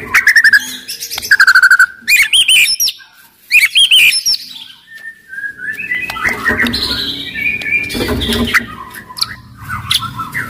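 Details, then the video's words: Aggressive white-rumped shama singing loudly to make other shamas sing and fight: rapid trills and bright whistled phrases early, then softer mixed chatter over a rumbling background noise. "MURAI BATU GACOR , CEPAT MERANGSANG BUNYI, GACOR & FIGHTER"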